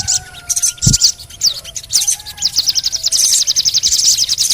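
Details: Crimson sunbird lure recording meant to set other birds singing: scattered high chirps give way to a fast, even, thin trill of repeated ticking notes, with faint steady whistle tones and a low thump in the background.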